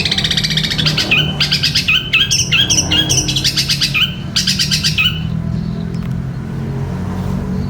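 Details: Long-tailed shrike song used for training caged birds, five seconds of fast, harsh chattering with repeated buzzy notes, then near silence with a low hum continuing.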